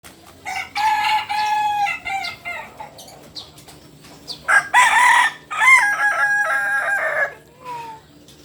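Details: Kokok Balenggek rooster, native to Solok, West Sumatra, giving a long stepped crow: several loud harmonic syllables in a chain, a pause, then a second burst of rising and falling tiered notes, ending with a short soft note.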